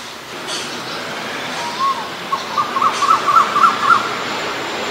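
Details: Male Asian koel calling: one drawn-out rising note, then a quickening run of short, clear notes that climb slightly in pitch and grow louder, with faint background rumble.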